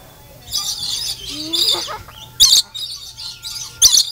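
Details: Lorikeets at the Denver Zoo being fed nectar, giving harsh, shrill screeching bursts in short separate outbursts, with softer chattering and a low whistle between them.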